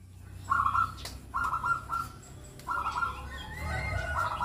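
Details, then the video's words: Young male zebra dove of the Bangkok type calling: short buzzy, trilled coos held at one steady mid pitch, given in three separate bursts about a second apart, over a constant low background hum. "Panggilan SUARA Perkutut Bangkok KUTUT bangkok PINTAR Bikin BUNYI Perkutut Jantan REMAJA MUDA"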